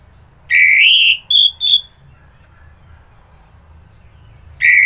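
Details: Orange-headed thrush, known locally as anis merah, recorded in the morning at Kubutambahan, Singaraja, Bali; loud clear whistled phrase near two to three kilohertz, then two short higher whistles, a pause, and another phrase starting.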